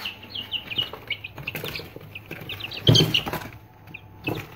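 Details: Aseel chicks, three days old, giving thin high cheeps in scattered runs, mixed with knocks, scuffling and a louder clatter midway, against a low background hum.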